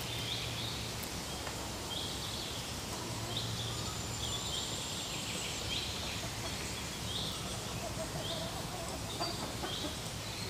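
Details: Black woodpecker raising young, recorded in the morning, giving short, high, harsh notes in quick bursts about once a second, over a steady hiss with a faint low hum.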